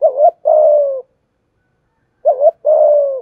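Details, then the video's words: Spotted dove lure call in the thổ voice style, meant to stir and train new doves; two phrases, each a quick warbled double note followed by a sustained, gently descending coo, clear and close. "Thúc gù gáy gọi/ tiếng Cu gáy mồi giọng thổ pha hạp bổi kích mồi luyện bổi mới mỗi ngày"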